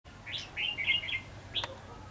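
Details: Red-whiskered bulbul used as a decoy in a trap on 22/2/2016, singing to lure wild bulbuls: short bright warbled phrases of clear whistled notes, a quick run of chirps then a sharp high note, over a low background hum.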